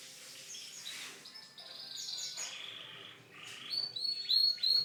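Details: Canary song with soft buzzy rolling phrases and quick chirps, building to louder clear whistled notes and sweeps at the end.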